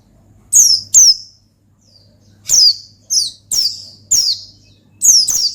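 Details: Oriental white-eye in energetic 'ngalas' singing, meant to call and provoke a rival: sharp, very high, downward-sweeping chirps in quick pairs and short bursts, separated by brief pauses, over a low steady hum.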